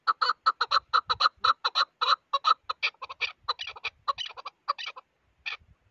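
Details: Chukar partridge calling: a rapid run of about twenty-five short, clucking chuck notes, fast and even at first, then looser and slower, ending with a single isolated note after a brief pause.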